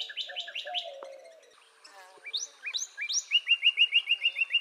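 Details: Northern cardinal song that opens with rapid repeated chips, pauses, then breaks into upward-slurred whistles and a steady series of short, even notes.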